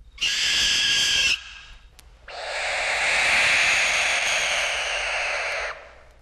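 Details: Barn Owl, in a 1961 field-guide recording of eastern and central North American birds, giving two harsh, hissing screeches, a short one followed by a longer drawn-out rasp of about three seconds.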